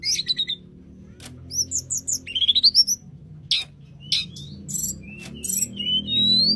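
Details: Tledekan gunung in lively song, a mix of high thin whistles, rising slurred notes and short buzzy chirps with pauses between phrases; a faint low hum runs underneath.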